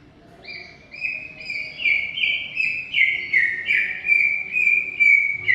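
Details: Greater green leafbird in long, energetic song: a rapid run of clear whistled notes, each stepping slightly in pitch, repeated about two to three times a second and building in loudness, with a faint low hum behind.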